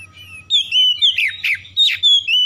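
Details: Short loud run of Oriental magpie-robin song played as a lure for silent birds: clear downslurred whistles mixed with harsher rasping notes in rapid sequence, with a low background hum.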